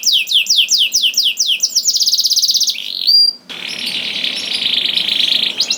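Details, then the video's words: Canary singing to spur other canaries on: rhythmic downslurred whistles, a rapid buzzing trill, a clear rising whistle, then a long harsh churr. "DENGAR SUARA KENARI DI JAMIN KENARI NYAUT SEKETIKA"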